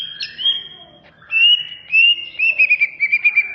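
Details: Cucak ijo, the greater green leafbird, singing in a masteran recording. Long level whistles with slight wavers, then a run of short, rapidly repeated whistled notes near the end. No other clear sounds.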